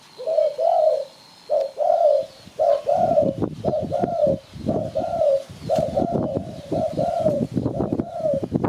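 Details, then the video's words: Spotted dove heard as a bird-catching lure, giving rounded double coos about once a second while loud clattering, knocking noise joins from midway and runs to the end. "Sound Spotted Dove Malay"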